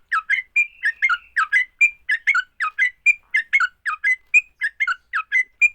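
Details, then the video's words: A fighting song of the sooty-headed bulbul, used to get other bulbuls singing: quick, even series of gurgling chirps and short whistled notes, one drawn-out slurred whistle near the start, steady rhythm throughout. "Kicau TRUCUK TARUNG, paling cepat bikin trucukan BUNYI."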